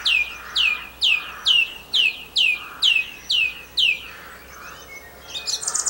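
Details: Singing song thrush recorded at Campbeltown in April 2012, repeating a ringing, falling whistled note about eight times at a steady pace before switching to a scratchy, high twittering phrase.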